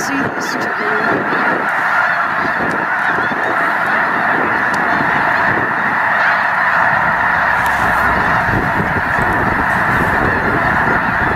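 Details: Massed Snow Geese honking nonstop at Loess Bluffs National Wildlife Refuge in February 2020. The refuge held over a million birds. The steady, roaring chorus of overlapping nasal calls fills the whole recording with no pause.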